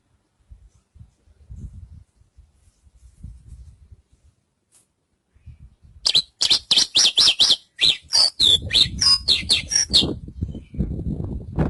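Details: Javan bush lark song: after several seconds of soft low rumbling and knocking, a fast run of bright, buzzy chirps and slurred whistles begins, with low background noise continuing underneath.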